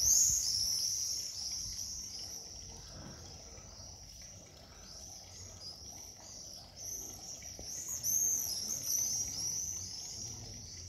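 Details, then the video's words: Many swifts calling around the squares of Meissen on 29 June 2023. A loud shrill scream opens, then repeated high, wavering screams from several birds come and go, swelling again near the eighth second, over low town noise. "Swifts - Meissen 29th June 2023"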